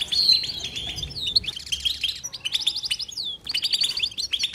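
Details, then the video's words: Goldfinch song in short phrases: tinkling chirps, slurred upward and downward whistles and buzzy trills, broken by brief gaps. "بتبته حسون لا صمت"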